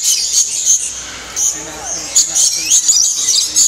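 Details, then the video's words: Lorikeets in the Lorikeet Landing aviary at Bird Kingdom, Niagara Falls, Canada, during nectar feeding time: a dense chorus of shrill, high screechy chirps and squeaks, some rising and falling sweeps, with a faint voice underneath. "Lorikeet Landing at Bird Kingdom in Niagara Falls Canada Feeding Time"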